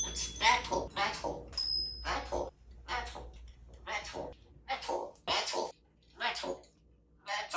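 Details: Pet African grey parrot indoors, repeatedly saying the word "metal" in a run of short, raspy, speech-like bursts separated by brief pauses. A person's voice asks what something is made of.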